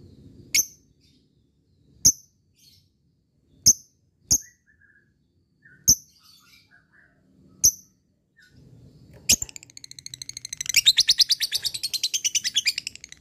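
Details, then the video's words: Lovebird of the fighter type, calling out to a rival: sharp, high, clicking chirps spaced about one and a half seconds apart, then from nine seconds a fast, buzzy, continuous chatter. "Cik cikk weeeeerrr...lovebird fighter gacor ngekek memanggil l4w4n"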